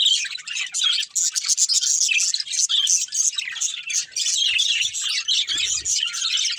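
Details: Budgerigars in a family group at play, chattering nonstop in fast, scratchy twitters and bright squeaky notes that overlap into a busy warble. A soft low thump near the end.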